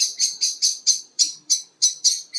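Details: At a hide in the evening, common blackbirds mob a tawny owl that has just taken food from a fence and flown into a tree, possibly to feed its young: frantic alarm of sharp, high metallic chinks, about four a second.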